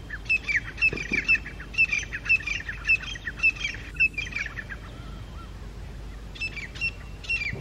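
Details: Two wild grey francolin groups clash at dawn in October 2022, calling loudly from high rocks to challenge each other: a steady run of piercing, high, whistled notes about twice a second, then a short pause and a few more notes.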